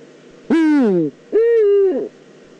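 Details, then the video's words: Eurasian eagle-owl, Eifel, 9 September 2014. Two drawn-out nasal cries follow each other: the first slides downward, the second holds a steady pitch before dropping. Close and clear, with a quiet background. "Eifel Uhu"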